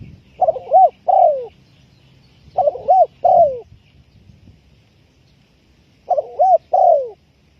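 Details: Spotted dove call used to lure birds for trapping: three phrases, each a quick wavering double note followed by a longer falling coo, spaced about two to three seconds apart.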